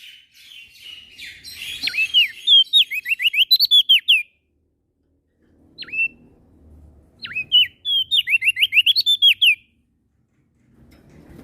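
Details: Prinia (prenjak daun) from Lombok, West Nusa Tenggara, an eager singer by morning, noon and night, gives fast strings of clear, high, downward-swooping notes, then isolated single notes and another rapid run. Faint low rumble in between.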